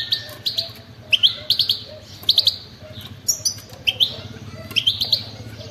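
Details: European goldfinch of wild stock in 'batbata' style, giving spaced clusters of quick high chirps and short twitters over a steady low hum.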